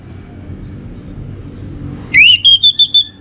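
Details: Orange-headed thrush (anis merah) lure song, Singaraja, North Bali: a rising slurred whistle followed by four evenly spaced, steady high whistled notes, with low background hum before.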